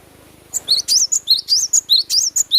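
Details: Cinereous tit, called glatik batu, singing in full natural voice: rapid series of high, sharp whistled and zigzagging notes, about ten short bursts in two seconds, over a faint low hum.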